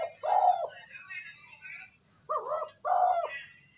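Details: Spotted dove coo for training a decoy bird: a rough, low coo at the start, then a paired coo phrase after two seconds, with high twittering birds behind.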